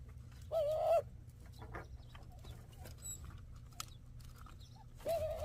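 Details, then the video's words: A dove in the Sonoran Desert at Ajo, Arizona, near a bird feeder, gives two short, steady, slightly nasal calls about four and a half seconds apart, over a low background rumble. "This is What It Sounds Like When The Doves Cry?"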